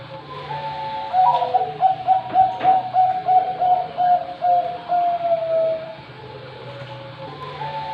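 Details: Champion Bangkok-type zebra dove with a deep, full voice, cooing a rapid series of soft rounded notes that trail into a long sustained final coo, with a low hum in the room.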